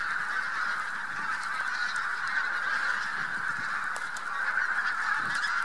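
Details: Spring passage of a vast Bean Goose flock with some White-fronted Geese near Trzemeszno, Poland, March 2018: unbroken chorus of many nasal honks layered together, even in loudness throughout.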